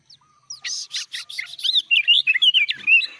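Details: Sooty-headed bulbul singing in the gacor style with full isian, meaning its song is filled with mimicked phrases. The bird gives a run of harsh, buzzy notes about five per second, then a fast warbling twitter of rising and falling whistles.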